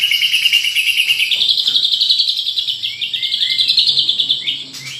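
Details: A champion White-rumped shama sings a luxurious filler-material song: a sustained fast buzzy trill pulsing about four times a second, briefly broken by clear downslurred whistles, then resuming.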